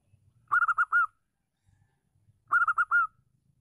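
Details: Local female zebra dove, used to provoke silent males into singing: two cooing phrases, each of four quick soft coos ending in a longer drawn-out note, about two seconds apart, with faint low rumble between.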